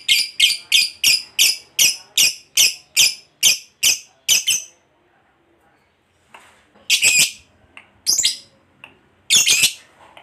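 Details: Caged fighter lovebird used as a lure so other lovebirds begin ngekek; a quick run of about ten harsh, buzzy notes, a short silence, then three more loud, raspy bursts spaced about a second apart.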